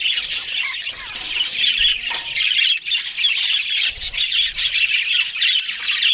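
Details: Australian budgies feeding on green food in the morning: unbroken, busy warbling and chirping from several birds, high and grating, swelling louder in the second half.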